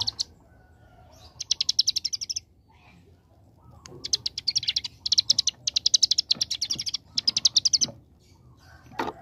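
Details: Young bar-winged prinia singing in the 'ngebren' AK47 style, rapid machine-gun trills: several high buzzy trill runs of about one second each, separated by short silences, over faint low background hum.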